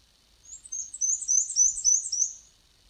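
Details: A Black-and-white Warbler, a species breeding in Newfoundland, sings a very high, thin series of squeaky paired notes that undulate up and down like a squeaky wheel turning.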